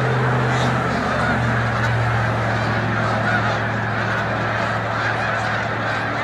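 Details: Thousands of snow geese at Montezuma, New York, in early March 2022 during peak spring migration, taking flight; a solid chorus of high nasal honks, constant and overlapping, with a faint low hum throughout.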